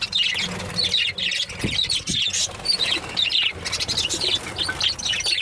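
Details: Budgerigars during breeding season chatter in a steady stream of high, scratchy warbles and quick chirps.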